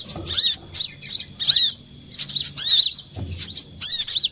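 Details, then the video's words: Trapping lure of olive-backed sunbird: short spaced bursts of high, sharp chirps, roughly one every second, with a soft low knock. "suara pikat mp3 burung kolibri kelapa"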